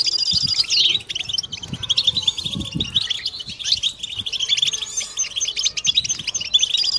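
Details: European goldfinches performing a collective mating batbata to excite males and females; overlapping bright, fast twitters and trills run on continuously, with some soft low thuds early on.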